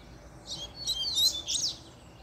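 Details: Short, dense burst of high, trilled and whistled notes from a double-collared seedeater stirred up after a female appeared.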